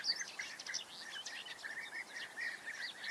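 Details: European bee-eaters keep up a steady chatter of short burry trilled calls, about one and a half per second, over a faint natural background.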